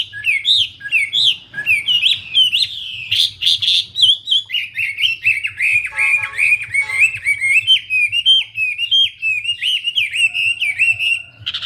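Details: Wambi pouring out an energetic song of quick chirps and trilled whistles, then a long string of rapid, bouncing slurred notes, accompanied by a constant low hum.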